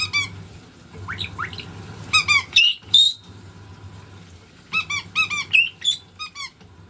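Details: Indoor white-bellied caique, thrilled by the washing machine, giving two bursts of rapid piercing squeaks and upslurred whistles, with the machine's steady low drone underneath.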